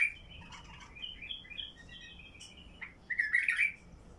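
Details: Basra bulbul, a singer with a heavy throat, used to prompt other bulbuls to sing. Its short warbled, whistled phrases sit in a mid-high band, and a louder, richer burst comes near the end over a faint low background hiss.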